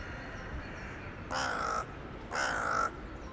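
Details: A town-centre crow in the evening of 23 January 2021, calling to others flying in for the night: two harsh, hoarse caws about a second apart over steady background hum.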